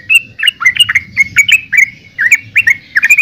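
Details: Brief burst of yellow-vented bulbul song: quick, clear, chirpy notes tumbling one after another with slight upward and downward slurs.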